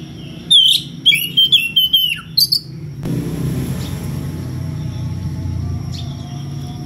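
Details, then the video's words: Magpie-robin calling out to a rival with odd varied notes: a quick burst of sharp whistles and a downward slur, then the bird falls silent under a steady rushing background. "SUARA KACER NGEPLONG MEMANGGIL LAWAN DENGAN VARIASI SUARA ANEH"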